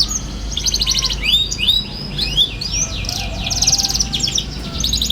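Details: Young canary chattering, offered as a lure for young canaries learning their song: high sweeping chirps and buzzy trill fragments over a steady hum of background noise.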